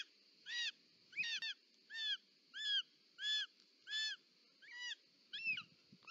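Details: Short-toed snake eagle, female delivering a snake to the nest, Parc Natural dels Ports, Catalonia, 18 July 2024. Eight ringing, down-curved call notes, a few doubled or broken, over a constant high-pitched hum and soft rustling.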